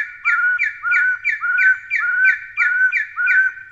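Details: Taiwan Hill Partridge, a Taiwanese endemic of low to mid-elevation forest undergrowth, utters a quick chain of whistled notes, each a flat tone ending in a rising flick, close to two per second, two voices interwoven.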